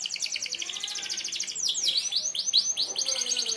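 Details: Canary, merlok type, delivering sharp 'tembakan tajam' song for tutoring other birds: a fast high trill followed by swooping down-and-up whistled notes repeated quickly, continuous throughout.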